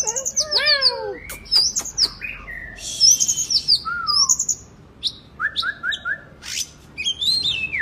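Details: Oriental magpie-robin, a kacer, singing energetically for a therapy recording meant to make reluctant birds sing; rapid chains of down-slurred whistles, harsh rasping notes, clicks and a run of short repeated whistled notes.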